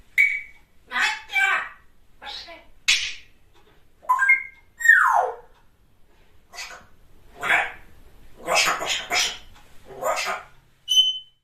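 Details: Pet African grey parrot talking indoors in a small room: a string of speech-like mimicked phrases mixed with clear tonal whistles, short rising and falling squeaks, and a final pure whistled note.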